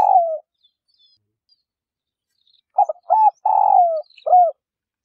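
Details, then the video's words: Female spotted dove calling to prompt males to coo: a trailing falling note, a quiet gap, then a complete phrase of soft stuttered hoots, a long downward-gliding coo and a brief closing note, with no other sounds. "Tiếng cu mái gáy cực hay siêu kích bổi mới nhất | chim cu gáy mái thúc bổi kích trống gáy hiệu quả"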